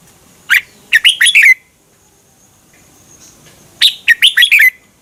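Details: Red-whiskered bulbul, a Thai cage bird, singing to excite listening birds: two brisk phrases of about six sharp whistled notes, the last note sliding downward, with a quiet gap between.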